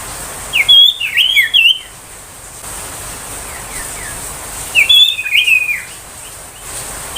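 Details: Ashy tailorbird song, used as tutor audio for magpie-robins and to stir young wild tailorbirds into singing: short bright whistled phrases of rising and falling notes in two bursts, quiet gap between, steady faint hiss.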